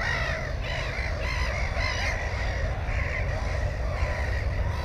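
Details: Black-headed gull by its nest containing an egg and a chick, recorded on a GoPro in May 2016: a rapid series of grating, rising-and-falling squawks, then a short pause and more calls, with wind rumbling underneath.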